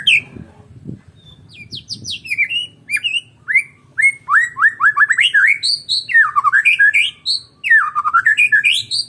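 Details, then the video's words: White-rumped shama of the Medan type, known locally as murai batu, sings alone with no opponent. It delivers a rich stream of quick whistled phrases, many sliding down, mixed with high chips and looping warbles. "KICAUAN BURUNG MURAI BATU MEDAN TANPA LAWAN"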